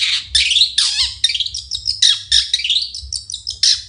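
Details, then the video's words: Long-tailed shrike singing in the morning: a rapid, continuous run of harsh, buzzy and squeaky high notes with short slurred whistles, barely pausing across four seconds, over a faint low hum. "Nyanyian cendet di pagi hari"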